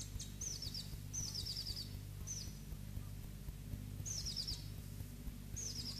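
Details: Two caged black-throated bushtits utter brief high-pitched rattling trills spaced a second or more apart, with a constant low hum and muffled noise underneath.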